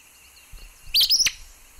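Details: Acadian flycatcher (Empidonax virescens), listed among the birds of Sonso Lagoon near Buga, Valle del Cauca, Colombia, where it is the commonest migratory Empidonax, giving one sharp, explosive two-part 'peet-sa' song, a high upslurred note ending in a quick burst, over faint hiss.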